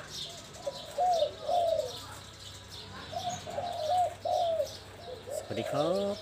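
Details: Spotted dove singing in the Mongkhon Liu Tan song style: soft, low hooting coos in grouped phrases, several phrases across a few seconds, with faint chirps of other birds high in the background.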